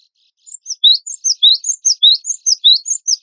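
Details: Gelatik batu wingko (cinereous tit) singing continuously for contest training. Crisp, high chirps come in a brisk, even series of about twelve sliding notes.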